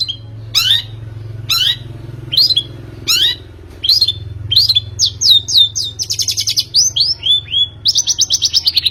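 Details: Long-tailed shrike recording used as a singing lure: sliding, falling whistled notes about once a second, which quicken into rapid, buzzy, high trills.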